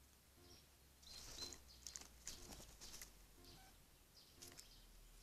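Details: Eurasian jay in the Eifel near Dohr, Germany, giving harsh, rasping screeches in a few ragged bursts a second or so apart, fairly distant, with faint high chirps and low background rumble.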